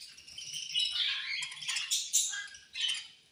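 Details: Budgerigars chirping angrily as they eat. Harsh, buzzy chatter swells into several loud scratchy squawks near the end.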